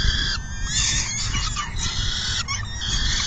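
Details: Harsh, nasal peregrine falcon calls at the nest while feeding takes place on a June 2022 afternoon. Calls come in sustained bursts with quick breaks between them.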